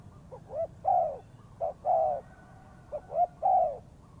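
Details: Luring spotted dove calling in three-part phrases: quick short lead-in notes rising into a long, mellow, slightly falling coo, repeated after a brief pause.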